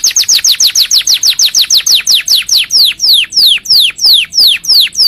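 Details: Canary song for tutoring and prompting other canaries: a steady series of high, sharply falling whistled notes, about four per second at first, slowing and lengthening toward the end.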